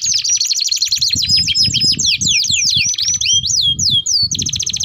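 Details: Canary in long rolling song, used as a lure and for tutoring young canaries: rapid high sweeping notes and trills in quick succession, with some low background thumps.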